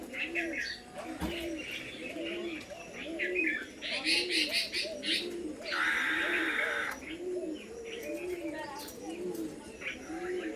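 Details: Pigeons on an old house roof coo steadily, with deep, rolling, arched notes repeated roughly every second throughout. Other birds chirp and caw higher up, and a loud rushing noise cuts in briefly midway.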